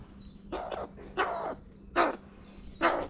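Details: Crows from a family gathered at a feeder call in loud, rasping caws, four harsh bursts in about three seconds, with a low steady hum underneath.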